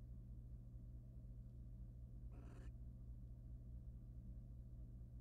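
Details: Wild male barn owl at a nest box, preening his mate's feathers; one short, harsh, broadband hissing burst about a third of a second long, over a steady low electrical hum.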